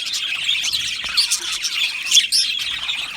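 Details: Budgerigars chirping in an aviary: bright, squeaky chirps and short whistled notes stand out over a softer background warble from the rest of the flock.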